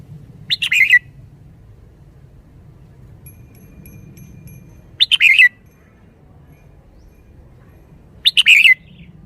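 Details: Lively caged red-whiskered bulbul giving three brief bright phrases, each a quick cluster of clear whistled notes dropping at the end, with long quiet gaps between them and a faint low hum behind.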